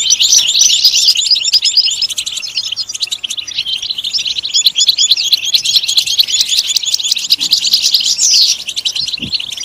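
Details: European goldfinch song for encouraging goldfinches to sing: a dense, fast, tinkling twitter of high notes that runs continuously, with brief rapid trills and chirps layered throughout and a few soft low knocks near the end.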